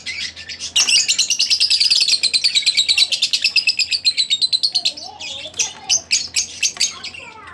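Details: Split blue Fischer's lovebird singing a long run of fast, evenly pulsed high chirps, about three per second, in a steady chatter that breaks into looser squeaky notes toward the end.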